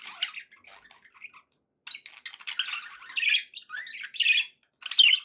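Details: Budgerigars making happy sounds: soft scattered twitters at first, then after a pause louder squawky warbles and a rising chirp, bursts growing stronger toward the end.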